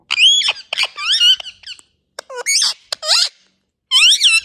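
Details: Indian ringneck parrot vocalising at close range: loud, warbling, speech-like squawks with wavering harmonic notes, several syllables in quick succession, a short silence, then a final shrill squeal.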